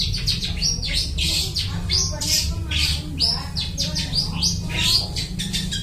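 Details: Energetic long-tailed shrike imitating other bird species, played as a bird-catching lure; continuous stream of shrill, scratchy chirps and down-slurred squeaks, tightly packed throughout, over a constant low rumble.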